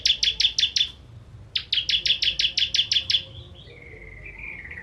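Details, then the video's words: 'Kristal' ciblek or bar-winged prinia firing 'tembakan' song for training contest birds: five sharp high chips, a brief pause, about ten more in a fast even run, then thin, wavering whistled notes trailing off. "Ciblek Kristal Tembakan Pedas"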